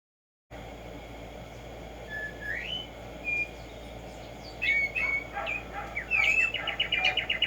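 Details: Black-striped sparrow (Arremonops conirostris), known locally as tumba yegua or tico tico, singing in nature in the morning: a few separate rising whistles, then a fast run of bright repeated notes near the end over a steady low hiss.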